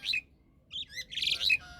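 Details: Pet myna giving a few short, loud whistled chirps, sharp notes bending up and down, in three bursts over two seconds; quiet room with faint low hum between calls.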